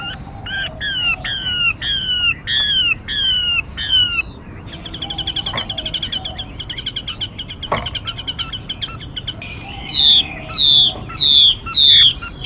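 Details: Female mi bird calls used as bait for bird trapping and voice training: a series of slurred downward whistles, a stretch of fast buzzy chatter, then four loud falling whistles.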